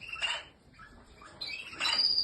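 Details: Canary chirping in two bursts, with a sustained high whistled note at the end. The bird's sounds are mixed with rustling broadband noise and a soft background hum.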